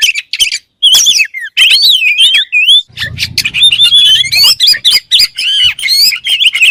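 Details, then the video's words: Kacer, or oriental magpie-robin, song intended to trigger other kacer birds to sing: bursts of whistled, swooping notes and harsh chips separated by short gaps, with a brief low rumble midway. "THE KACER BIRD IMMEDIATELY WORKS AFTER HEARING THIS VOICE"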